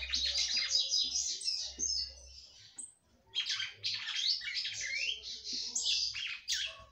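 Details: Female red-cowled cardinal, kept by a breeder, singing a lot to stimulate the male: long busy runs of high chirps and warbled notes, two bursts separated by a short pause, faint low hum beneath.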